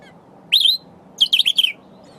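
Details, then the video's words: A sombre greenbul foraging for berries while singing to itself gives one slurred, wheezy high note, then a quick run of four buzzy notes; quiet background with a faint low hum. "Sombre Greenbul's wheezing call"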